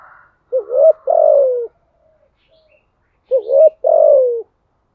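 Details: Spotted dove calling in the style known as thúc gù, low mellow cooing phrases: a short note, then a rising coo and a long falling coo, the phrase given twice about three seconds apart.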